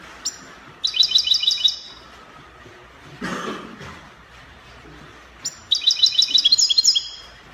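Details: Goldfinch song in the copia manner, Morocco: a short rapid trill of high chiming notes, a loud rustling break, then a longer, richer burst of fast twittering with a brief sharp note before it.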